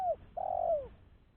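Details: Lure recording of a spotted dove, a clean call meant for attracting other doves: the tail of one coo sliding downward, then a long sustained coo ending in a falling slur.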